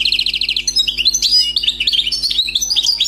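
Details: Wild-caught European goldfinch, new catch, pouring out continuous song: a fast buzzy trill of evenly repeated notes followed by varied liquid, slurred whistles and chirrups, all high-pitched.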